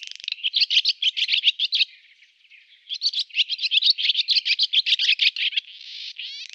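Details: Male barn swallow (Hirundo rustica) song: a fast, high twittering warble of chattering notes, a brief pause, then resumes and ends with a dry, grating buzz.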